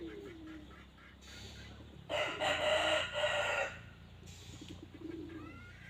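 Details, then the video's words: A red junglefowl crows: one loud, coarse, broken crow of about one and a half seconds mid-clip. Faint chirps and steady background hiss come before and after it. "suab qaib qus dib tuaj zoo 100% poj dhia ceev"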